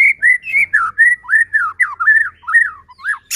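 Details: Song of a white-rumped shama, played to goad rival shamas into singing: a string of clear, arched whistles rising and falling in loops, each note short, delivered steadily with brief gaps between them.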